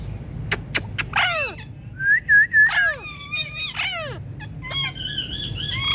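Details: Indian ringneck parakeet talking: sharp clicks, then downward-sweeping raspy squawks with rich overtones, a short run of three wavering whistled notes, and more rapid chattery phrases near the end, over a low background hum.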